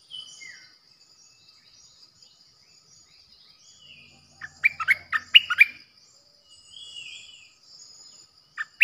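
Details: Decoy bulbul recorded 8 May 2021: scattered faint whistles, then a short, energetic burst of jumbled chirpy warbling notes in the middle, more soft whistles afterwards, all over a steady high hiss.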